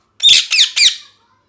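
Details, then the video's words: Three harsh, grating parrot squawks in rapid series, each a short noisy burst with a downward-sweeping edge, loud and close. "Parrot Chirping Sounds | Natural Parrot Sounds | Parrot Calling Sounds"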